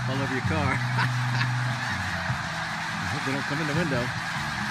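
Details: Snow geese in a massive flock near Bridgeville, Delaware: a thick wall of honking with several nearer birds giving clear, wavering nasal honks in short bursts over the steady roar of the crowd.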